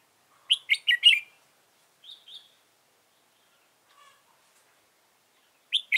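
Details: Red-whiskered bulbul kept as a trapping decoy, 15 November 2017, gives short bursts of sharp chirpy whistled notes, a soft two-note phrase in the middle, and another chirp at the end, with silence between.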